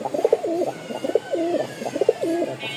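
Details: Pigeons for sale at a market in Mirpur: three clear, rolling coos with a rising-falling wavering pitch, each under a second, in a steady sequence.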